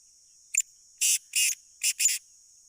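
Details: Black francolin of the Sindhi type in full voice: a brief sharp note followed by four grating, broadband bursts grouped in two pairs over about a second. A constant high-pitched insect drone sits in the background.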